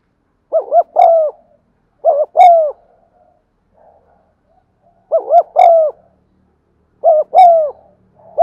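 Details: Cooing spotted dove, used to trigger cooing in caged birds: four phrases of paired short wavering notes followed by a longer low falling coo, delivered in a steady series.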